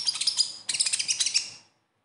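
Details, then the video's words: Konin or kolibri ninja sunbird singing in besetan style, played to lure silent captive birds into song: a brief, very high burst of quick chips, a short pause, then a rattling run of sharp notes that fades out. "SUARA KHAS KONIN AMPUH UNTUK PANCINGAN KONIN BAHAN"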